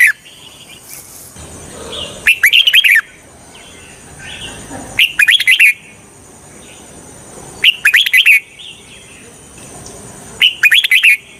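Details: Lure red-whiskered bulbul for trapping wild birds repeats a short, rich, tumbling whistled phrase four times, roughly every two and a half to three seconds, with quiet faint chirps in between.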